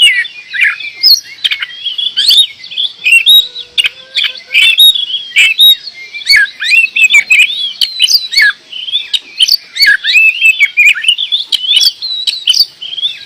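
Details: Kacer, the oriental magpie-robin, delivering a long, continuous full song of rapid whistles, warbles and sharp clicks, varied and unbroken throughout.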